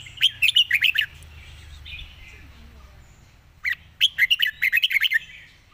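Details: Red-whiskered bulbul pouring out rapid 'fast-beak zone' song: a quick run of crisp, bouncing chirps, a soft warbled pause, then an even faster burst of repeated bright notes.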